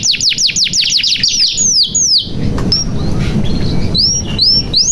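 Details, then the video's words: Canary lure song meant to get silent or young canaries singing: about two seconds of rapid falling whistles and trills, then sparse single high upslurred notes over soft background noise. "SUARA KENARI GACOR • Pancingan Kenari Macet Bunyi Supaya Gacor • Membuat Kenari Paud Cepat Bunyi"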